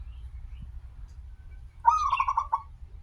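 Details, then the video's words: After a quiet start, a local zebra dove, recorded as a lure for other zebra doves, delivers one phrase: a rising note running into rapid pulsed rolling coos. "perkutut lokal gacor suara awal panjang, pancingan perkutut agar bunyi"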